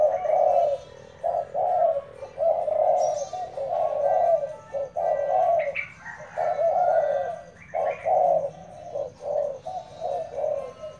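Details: Spotted dove used as a decoy, delivering repeated deep, hoarse coos in grouped phrases about once a second, with occasional sharp high chirps from other birds.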